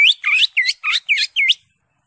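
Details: Caged green leafbird singing to stir another bird into song: six quick, sweeping whistled phrases in a fast run, each curving and dipping, then silence.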